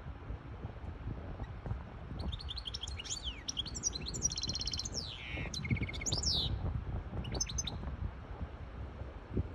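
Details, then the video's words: Hybrid goldfinch song meant to teach chicks and excite a female for mating: a dense four-second string of sharp chirps, sweeping whistles and rattling trills, then a few last notes, over low hum. "تغريد طائر هجين الحسون لتسميع الفراخ و لتهييج انتى الحسون واخد وضعية التلقيح"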